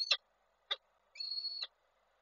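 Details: Falcons at a nest in Koszalin on 23 July 2023, as a male meets the female: two short, sharp, harsh notes, then a longer, flat, nasal, whining call of about half a second.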